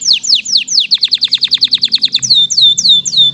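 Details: Canary in lively song: a rapid series of high, sweeping, downslurred whistles that speeds into a quick run, then slows to longer, clear notes.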